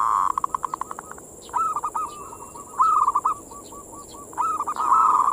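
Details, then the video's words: Zebra dove manggung song meant to lure and excite other perkutut: a fast run of short coo notes, then two rolling trilled phrases of low, even pulses, the last one loud and sustained. "suara perkutut pancingan mental birahi"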